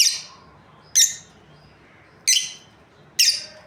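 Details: Lovebirds from a breeding pair uttering harsh, piercing chirps, four bursts roughly a second apart, each fading quickly, with little other sound.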